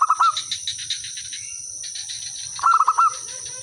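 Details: Local zebra dove song used as a lure to draw answers from other birds: two short bursts of rapid, throaty coo notes, with steady high insect buzzing and faint lower calls between them.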